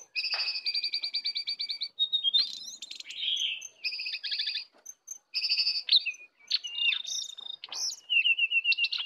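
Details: Full isian song from a sooty-headed bulbul duel, wild bird against caged bird: fast stuttering high trills broken by sharp whistled slurs, upswept notes and short buzzy phrases, with brief pauses between bursts.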